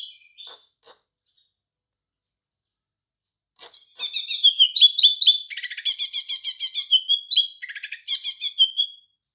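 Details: Green leafbird with house sparrow imitation: scattered soft notes and clicks, then energetic bursts of quick repeated chirps alternating with slurred whistled notes and short rattles.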